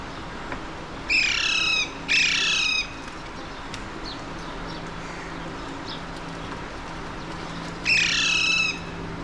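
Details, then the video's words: Alexandrine parakeets, the mountain or pahadi parrots of Mumbai, India, observed from a window on 30 April 2023; two harsh grating squawks close together, a pause with faint chirps, then a third loud squawk, over steady low hum. "Alexandrine Parakeets - Mountain / Pahadi Parrots of Mumbai, India"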